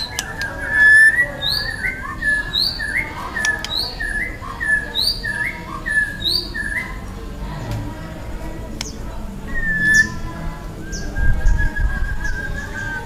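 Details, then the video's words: Wild young white-rumped shama repeating a short hooked whistled phrase roughly every half second for several seconds, then looser scattered notes, with low rumbling background noise. "TEMBAKAN MURAI BATU MUDA HUTAN GACOR KERAS RAPAT MATERI KASARAN"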